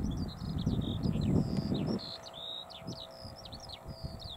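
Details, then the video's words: Eurasian skylark singing in flight over a field at Balsham, UK, 30 March 2021, 12:50 pm: a fast, unbroken stream of high, varied chirps and trills, with low wind rumble loud in the first two seconds. "Skylark Bird sings while flying over a field"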